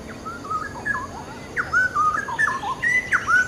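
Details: Straw-headed bulbul singing a rich, liquid warble of looping whistled phrases that rise and fall, broken into short bursts with brief pauses, over a faint hiss.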